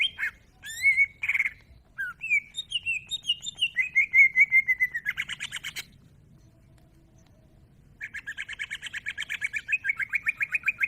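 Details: Greater green leafbird (cucak ijo) singing actively: a run of varied clear whistled notes, some rising and some sliding down, leading into a steady buzzy trill. A quiet pause follows, then a fast pulsed chatter repeated at an even pace.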